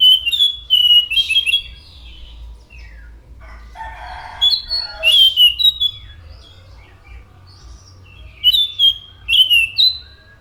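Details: Orange-headed thrush giving a long, varied song of whistled phrases mixed with harsh, scratchy notes, arranged in three bursts with pauses between them.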